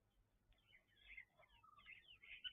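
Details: Red-billed buffalo weavers calling near a waterhole pan at King's Camp, where they nest in the tree next to the pan; scratchy, chattering notes in quick bursts, with a low background rumble.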